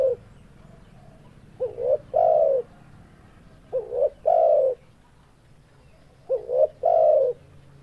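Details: Spotted dove giving soft low coos in repeated three-part phrases, two short notes then a longer drawn coo, roughly every two and a half seconds, in quiet surroundings.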